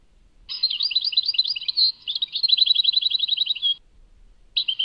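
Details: Tadmait goldfinch singing a continuous stream of varied high twitters that runs into a rapid, even trill of about three seconds. After a brief silence a short phrase starts again. There is no background noise.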